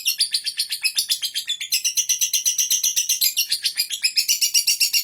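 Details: Continuous high lovebird chatter in the ngekek style, strong regular pulses about four each second, harsh and buzzy, sustained without a break.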